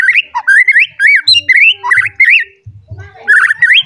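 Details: Agitated white-rumped shama seeking a rival delivers rich slurred whistles that rise and fall in quick phrases, with short gaps and a few harsh clicks between them.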